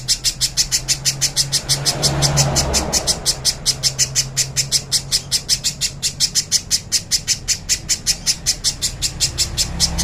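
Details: Little spiderhunter song on a clean training recording: a long, fast run of sharp, high, short notes repeated steadily for ten seconds, with a soft low hum beneath.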